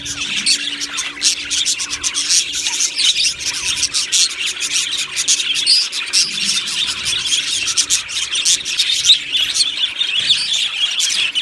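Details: Colony of Australian budgie parrots in an aviary, recorded 1 July 2025, keeps up a thick wash of high chattering chirps and rapid warbled notes from many birds, with a soft low hum in the background.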